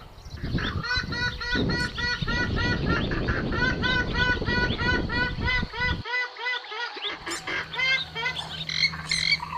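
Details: Purple swamphen lure call used for hunting: loud, harsh, nasal honking calls repeated about three times a second, with low rumbling background noise.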